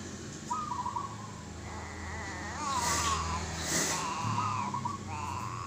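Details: Local zebra dove with a sri tumpuk song, used as a lure to draw replies from other doves. Trilled, wavering coo phrases run back to back under a droning low hum and brief hissy noise bursts.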